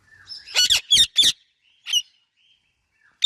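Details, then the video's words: Pet Indian ringneck parakeet chirping together with an Alexandrine parrot: a quick cluster of three high, scratchy, harmonic chirps, then a softer single chirp and a sharp note at the end, with quiet pauses between. "Indian Ringneck and Alexandrine Parrot Natural Chirping Sounds"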